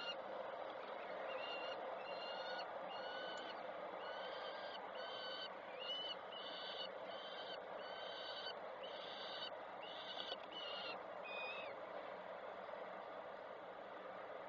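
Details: Peregrine falcons at a nest in Koszalin on 3 June 2024 as the female flies in and a chick jumps onto the roof and is fed by its mother; harsh, ringing calls repeat over steady background hiss, about eighty per minute.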